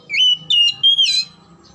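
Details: Oriental magpie-robin song used to prompt lazy or silent magpie-robins: one long, bright, level whistle broken into several segments, ending in a harsher, buzzier rising note.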